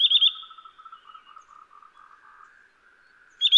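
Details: Eurasian nuthatch calling: a quick burst of three bright, high piping notes opens and closes the sequence, with a soft, lower series of short, evenly spaced notes running steadily between them in otherwise quiet surroundings.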